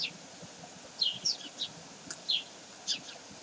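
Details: Common kestrel at Sägeweg on 12 May 2023 giving sharp, high, slightly falling notes, about six scattered over three seconds, over a steady low background hum.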